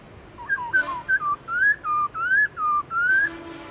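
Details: Black-throated laughingthrush singing wild-style song, played to stimulate caged birds to sing: a run of about ten clear whistled notes, alternately rising and falling slurs, given in quick succession with short gaps.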